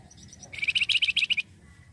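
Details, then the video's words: ['Flamboyan bird singing in a lure recording meant to attract other birds: a few soft high chips, then a fast run of about ten sharp, ringing, pulsed notes forming a bright trill.'] "pancingan flamboyan gacor cocok pancing burung bahan"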